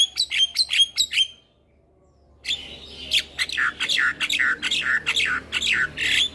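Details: Javan myna delivering a full 'isian' song for training lazy mynas: a short run of sharp whistled chirps, about a second of near silence, then a dense stream of buzzy, harsh notes repeated over a faint steady hum.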